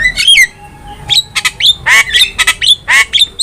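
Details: Javan myna, a caged bird recorded as a master for training: loud scratchy squawks and upslurred whistles about twice a second, harsh and rapid.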